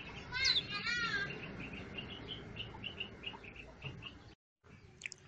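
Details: Birds perching in garden shrubs and trees sing in bright chirps and twittering phrases, a quick series of short high notes repeating about twice a second, with a person speaking faintly beneath.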